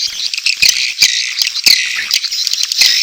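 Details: Swiftlets giving courtship calls with chick calls, a swiftlet-house lure. Continuous high twittering chorus with scattered crisp clicks.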